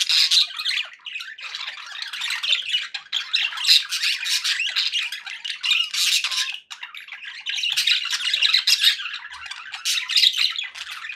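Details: Cheerful pet budgerigars keep up a steady, dense warbling chatter of raspy squeaks and chirps for the whole stretch, with barely any breaks.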